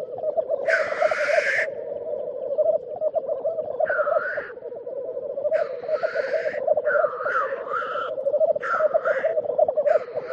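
A black grouse gives a steady, low bubbling coo with no break, cut every second or two by harsh, sneezing hisses.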